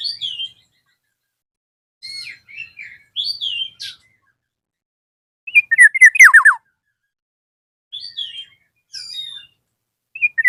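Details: Black-naped oriole calling a rival. Soft high warbled whistles come and go across the stretch, broken by one loud phrase of bright notes that tumbles into fast falling slurs, with another phrase beginning at the end.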